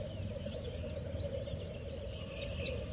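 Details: Black grouse at their lek, a dense low bubbling murmur continuing steadily, overlaid by faint thin higher calls and a short sharp tick near the middle.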